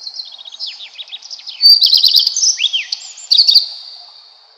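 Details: Continuous redstart singing: quiet ticking notes and downslurred whistles build into a loud, quick twittering phrase, then a rising-falling arched note and a final burst of high trills.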